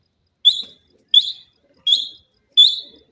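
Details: Grey francolin pair calling in the evening, a sharp high note repeated about every 0.7 seconds, each a loud clipped whistle fading quickly, four in a row.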